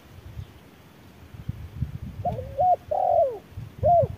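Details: Wild spotted dove answering an electronic decoy in harsh midday sun: after two seconds of low rumbling noise, a few short, mellow, wavering coos begin, with a pause between them.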